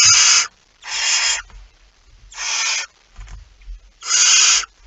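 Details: On 23 September 2019 a barn owl at its nest with a mouse gives four loud, breathy screeching hisses, each about half a second, spaced roughly a second apart, with soft scraping noises in the gaps.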